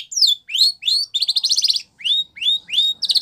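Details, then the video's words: Canary training song with high sweeping whistles alternating with short buzzy rattling trills, each phrase repeated two or three times at a lively pace. "Canary Singing Bird Sounds"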